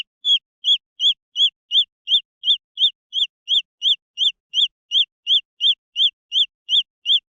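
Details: Green junglefowl chicks calling: clear, high, peeping notes, each rising then dropping, repeated steadily about three times a second with no other sounds.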